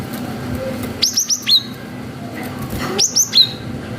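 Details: Cinereous tit, a vigorous forest bird, singing a long 'wucit' lure to stir young birds into replying: two bursts of three or four sharp, high, down-slurred whistles about two seconds apart over soft low rumble.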